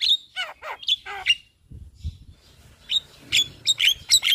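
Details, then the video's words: Javan myna by day in front of a house, giving sharp high whistled notes and descending rasping slurs, then a short pause with low thumps before a fresh run of piercing whistles. "Suara Burung Jalak Kebo GAcor Bongkar Isian Siang Hari Di Depan Rumah"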